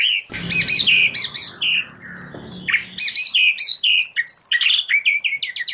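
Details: White-rumped shama, wild-style song for training: sharp, rich whistles and chattering notes in quick succession, with a low rumbling noise under the first half.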